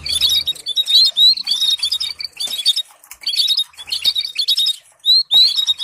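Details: Canary singing with stimulating trills, meant to teach canaries to sing: clipped bursts of bright twittering, each under a second, with clear upward whistled slurs between them.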